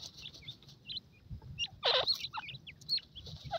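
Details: Grey francolin chicks giving short, high chirps that bend up and down, scattered through the clip, with a louder burst of broadband rustling noise near the middle and soft low background hum.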